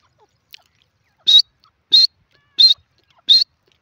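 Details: Teetar, the grey francolin of India: a faint tick, then four loud, piercing high notes, each rising slightly, repeated at about 0.65-second intervals.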